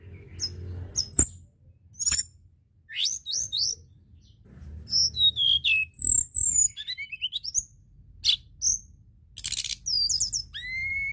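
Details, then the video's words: Long stretch of White-browed shortwing song used as a lure: rambling high warbles, quick chip series, buzzy notes and slurred whistles in varied phrases, with a few sharp clicks and low hum underneath. "Pancingan tledekan Gunung Gacor!"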